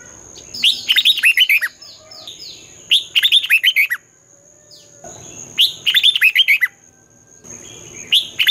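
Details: Competition song of a red-whiskered bulbul in the morning, twisting voice used to train young birds. It gives four long, rich phrases of rapid rolling whistles, each about a second, with short pauses and a steady thin high tone.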